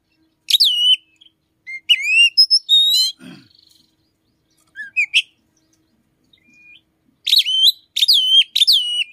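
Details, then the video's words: Oriental magpie-robin in the morning, song said to include the voice of the chim sâu đầu đỏ; clusters of sharp, downswept whistles and chirps, a brief rasp, a quiet middle stretch, then a rapid series of bright repeated notes. "chích chòe than hót buổi sáng"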